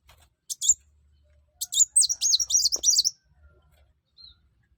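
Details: Sunbird singing vigorously, used to set other birds singing: a short chirp, then a fast, high, wavering twitter for about one and a half seconds, in an otherwise quiet background.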